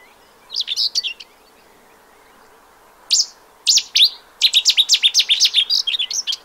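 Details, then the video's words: Spring song of a common whitethroat in the Séné nature reserve, Morbihan, France, 15 April 2023: short scratchy bursts, then a longer fast run of high, buzzy, chattering notes repeated in quick succession, loud and clear over low hiss. "FAUVETTE Grisette/Sylvia communis/Printemps"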